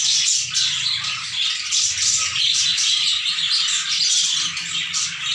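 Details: Many sun conures of a new caged colony screech at once, producing an unbroken, loud blanket of raspy, high shrieks with pulsing intensity over a faint low hum.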